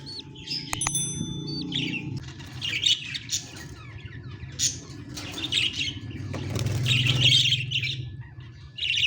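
Young budgerigar giving scratchy, high chirps and squeaky chatter in short bursts.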